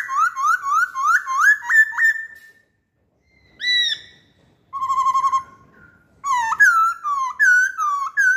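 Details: Masked laughingthrush lure song: bright, clear whistled notes that rise and fall in quick succession, about three a second. A pause follows, then a high slurred note, a run of wavering whistles, and more looping phrases.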